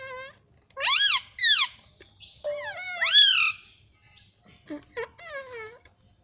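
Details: Indoor pet Indian ringneck parrot repeating rising-falling harmonic wails, several loud squawks followed by softer descending notes and brief clicks.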